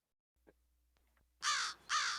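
Two loud, harsh caws from an American Crow, each about a third of a second long and half a second apart, after a few faint clicks.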